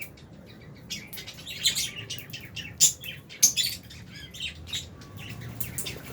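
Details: Albino and Fisher's lovebirds in an aviary cage chirp busily, a stream of quick high twitters with several sharp louder squeaks mixed in, over faint low hum.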